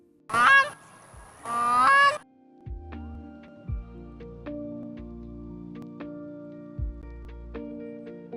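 Two loud, rich honking calls from a Grey Crowned Crane, each under a second and rising slightly, followed by soft background music.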